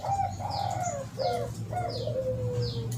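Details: Spotted dove lure sound heard through steady background hum: several hooked coos and a long level note, overlaid by recurring high descending chirps.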